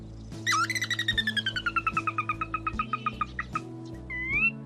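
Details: A male catbird sings a mimicking song, copying calls of a Sora rail, Western meadowlark, Wilson's snipe and Pacific tree frog to show females his long life; a loud rapid run of notes slides steadily downward, then one rising whistle, over background music.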